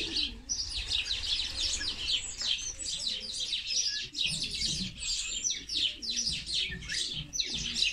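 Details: Fighting house sparrows give a continuous flurry of sharp, overlapping chirps and scratchy chatters, many birds calling at once in fast irregular bursts throughout.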